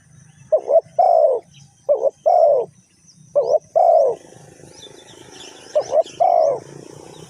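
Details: Spotted dove in Ninh Thuận, used in bird trapping with a decoy, giving low cooing phrases: two quick short notes followed by a long drawn, slightly falling coo, repeated three times with pauses, faint high insect hiss behind.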